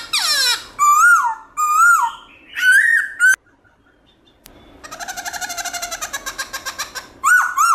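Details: Black-throated laughingthrush giving its loud wild-style song with many voices: slurred whistled phrases, a brief silence, then a fast rattling trill of rapid notes before another rising whistle.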